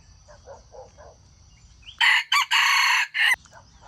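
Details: Junglefowl crowing, a sound used to lure wild chickens into traps: one loud, harsh, broken crow of several segments lasting over a second, preceded by faint short clucking notes and a steady high hum.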